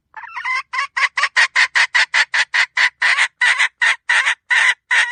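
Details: Wild red junglefowl hen calling to lure other junglefowl in, repeating harsh, raspy clucks steadily about two and a half times a second in a long, unbroken series.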